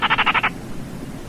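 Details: Short, dry rattle of Baillon's crake, about six quick pulses in half a second, then quiet with only a faint low hum.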